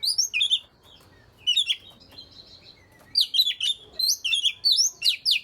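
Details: Oriental magpie-robin song used to get lazy birds singing: opening whistled notes, a quiet gap with a faint steady tone, then a rapid, varied cascade of high chirps and slurs.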